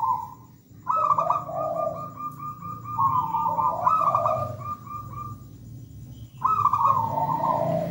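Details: Zebra dove of local wild origin singing a long, rich song. It gives an opening coo, then extended trilled phrases with bead-like repeated pulses, pausing before a final rolling burst, over a low rumbling background.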